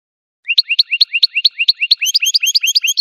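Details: Goldfinch song made of quick, evenly repeated upslurred notes, roughly seven per second, growing busier and higher toward the end with added tinkling overtones; clean background.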